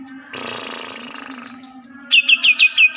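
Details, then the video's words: Green leafbird from Kalimantan: a long scratchy, hissing phrase is followed by five spaced, bright downslurred chirps, with a low background hum. "Burung cucak ijo asli kalimantan"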